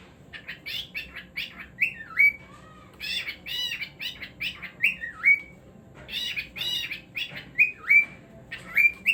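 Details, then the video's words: Cockatiel singing a lively run of chattering chirps broken by repeated swooping whistled phrases that dip and rise, about every three seconds, steady and loud throughout. "Cockatiel Singing Moments"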